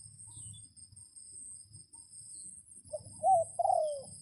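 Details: Decoy red junglefowl crowing to lure wild birds in rainy weather; a low rumbling background gives way to a single crow, a short note followed by two drawn-out, slurred falling phrases, with constant high insect trilling behind.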